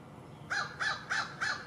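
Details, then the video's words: Crow calling, filmed with a Panasonic DC-FZ80 camera: four hoarse, arched caws in quick, even succession, roughly three per second, over a steady low outdoor hiss. "Crow Calls"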